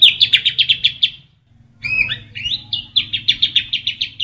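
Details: White-rumped shama song in a loud full-variation training recording ('Kapas Tembak' style), fast series of sharp descending chips, a pause, then slurred whistles and another rapid run of chips.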